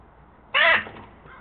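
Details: Northwestern crow giving a single harsh, hoarse caw lasting about a quarter second, loud against a quiet, faintly noisy background, followed by a soft trailing note.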